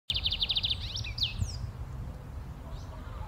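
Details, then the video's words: Wild lined seedeater, locally called bigodinho, singing in nature in Brazil in its rapid 'metralhando' style: a quick burst of about eight sharp, high repeated notes, then a few sweeping slurred notes, over a steady low rumble. "O CANTO DO BIGODE - BIGODINHO - Metralhando na Natureza"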